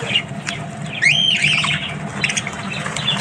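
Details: Morning budgie sounds: a few scratchy chirps, then one clear rising-and-falling whistled note with a short warble after it, over a constant low background hum.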